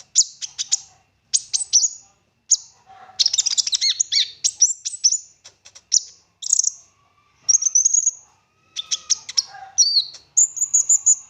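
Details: Olive-backed sunbird singing nonstop in 'full nembak' style with rich 'isian' fill-ins, used as a lure to make other sunbirds sing. Very high, sharp chips and short buzzy bursts come in quick clusters, with brief gaps between them.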